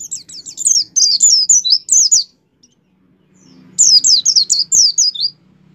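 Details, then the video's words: Caged white-eye in full song, used to coax other kept white-eyes into singing: two long, fast phrases of high twittering, slurred notes, the first over two seconds long. A faint low hum sits underneath. "suara pleci gacor pendongkrak mampu membuat pleci buka paruh"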